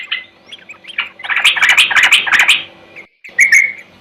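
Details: Yellow-vented bulbul in rival-challenging song, used as a lure: a few thin chirps, then a loud jumbled warble of scratchy notes for over a second, a short pause and a final burst.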